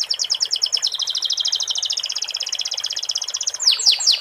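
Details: Canary song filled with sikatan londo phrases, made of a sustained, fast, high rattling trill lasting over three seconds, followed by three loud descending whistled sweeps.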